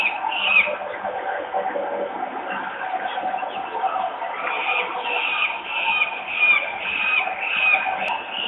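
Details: Young white storks begging at a nest in Włocławek, Poland, on 7 June 2022 at about 05:59 as the mother arrives and lands. A continuous raspy, wheezing chorus with thin whistled squeaks rising and falling throughout.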